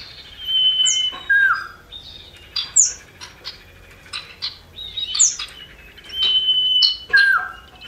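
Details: Male and female common iora (cipoh) singing, used as a lure to get birds singing, with a female calling to males. Long steady whistles alternate with sharp falling and rising notes and quick chirps, repeated in bursts.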